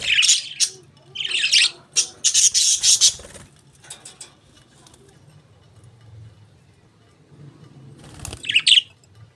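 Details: Pet budgerigars chatter in rapid, raspy high-pitched bursts during the first few seconds, then fall quiet with soft murmurs before another brief chirpy outburst near the end.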